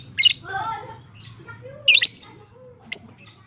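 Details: Long 'ngekek' chattering of a fighter lovebird, used to rouse quiet lovebirds into calling. Piercing, rasping shrieks, one doubled, followed by lower warbling notes and a short sharp chip.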